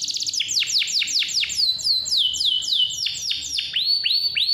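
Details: Energetic canary song used as a lure to get young or reluctant canaries singing: a continuous stream of fast, high downward-sweeping whistled notes, about four per second, interspersed with rapid trilled rolls, without pause.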